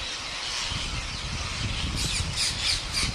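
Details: Wild parrots crowding in to be fed by a farmer in India, countless raucous squawks blending into a continuous screeching din, some sharper shrill notes near the end.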